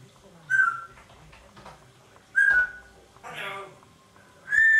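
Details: Parrot, talking and making strange noises: three loud, clear whistled notes about two seconds apart, each a short steady or slightly rising tone, with a harsher raspy squawk between the second and third in a quiet room.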